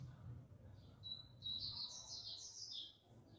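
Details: Coleiro pardo seedeater song heard more distantly: a thin, high warbling phrase of run-together whistled notes, partly masked by steady low background noise.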